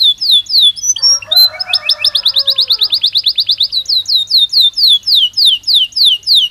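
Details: Belgian canary song with a run of bright downward-sweeping whistles, a lower rattling phrase, a quick repeated trill, then more clear descending slurs in steady rhythm.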